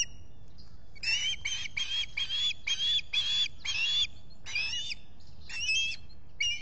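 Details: An osprey at its nest in the Finger Lakes, US, squawks on a July 2021 morning: after a quiet start, a rapid chain of about ten harsh, whistled notes, then a few scattered ones.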